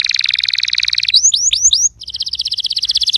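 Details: Canary singing, used to coax a canary that has stopped singing: a fast buzzy trill, then four clear upward-sweeping whistled notes, then another rapid rolling trill.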